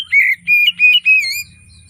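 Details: Oriental magpie-robin in morning song, used to coax reluctant singers: four loud whistled notes in quick succession, each smooth and slightly wavering, followed by a faint low rumble.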